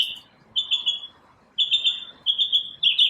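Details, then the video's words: Morning song of one bird: high, pulsing, whistled trills in short runs, starting after a brief pause and repeating with a wavering, rhythmic beat. "Birds chirping | Bird chirping sounds | Bird singing | Morning bird sounds"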